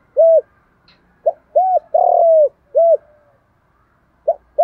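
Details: A 'đồng thổ' style spotted dove coo, used to provoke rivals and bring wild doves in: an arched coo, then a phrase of a short note, a rounded coo, a long falling coo and a closing coo, with the next phrase starting.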